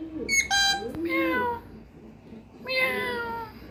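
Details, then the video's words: Parrot uttering drawn-out, nasal, harmonic calls that slide downward, two long phrases separated by a short pause, with soft background murmuring. "funny parrot 🦜 😄 beautiful mitthu sounds"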